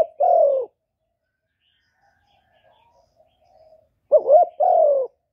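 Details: Spotted dove cooing to lure wild doves to a trapping spot, recorded without background noise: two low, hollow coo phrases, the second opening with a quick double note, separated by about three seconds of near silence.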